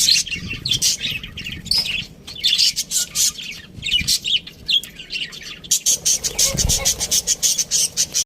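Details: Budgerigar chirps in steady rapid pulses, high and bright, becoming more regular and evenly spaced toward the end.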